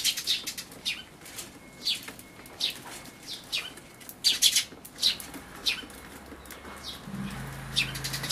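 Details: Eurasian tree sparrow parent and chicks at a bird feeder, 28 May 2013, Everio camcorder; irregular high chirps, some doubled, spaced about half a second apart, with a low hum entering near the end.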